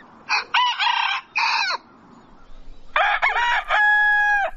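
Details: Rooster crowing at dawn: two loud, harmonically rich cock-a-doodle-doo bursts. The first is broken into several rising and falling segments. The second ends in a long, steady held note. A short quiet pause separates them.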